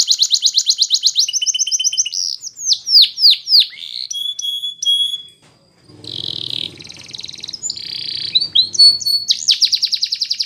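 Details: A canary sings a fast, varied song of rapid trills, descending whistled notes and buzzy rolls, with a brief pause midway, a recording meant for training canaries to sing.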